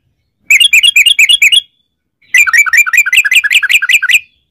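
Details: Yellow-vented bulbul in long rapid-fire 'ropel' singing, used as a lure to get other bulbuls singing: two fast bursts of bubbly, chattering notes, each about a second long, separated by a short pause.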